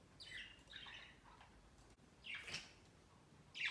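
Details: Budgerigars kept as pets, climbing a Christmas tree by the cage on their first Christmas; overlapping rough chirps and squeaks, a sharp rustling burst midway, and a loud chirp at the end.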